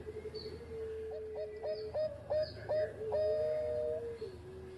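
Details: A zebra dove of the Bangkok type sings actively, recorded to train other doves: a low steady coo carries under repeated short rising notes about every half second, then ends in a long falling note, with background hiss.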